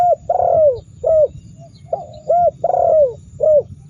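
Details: Cooing spotted dove meant to rile rival birds into answering: a long, smooth, falling coo between short clipped notes, repeated twice with even spacing, over a soft hum.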